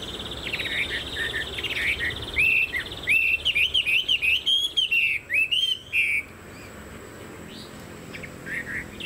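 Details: Chinese hwamei, fan-tailed and tall, a kept songbird, delivering a burst of clear, repeated whistled notes, each rising and falling, loud for about four seconds before fading to quiet.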